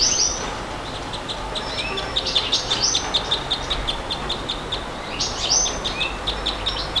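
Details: Nightingale in song, with a loud opening phrase, then a run of sharp, regularly repeated high ticks and another bright, rapid phrase near the end.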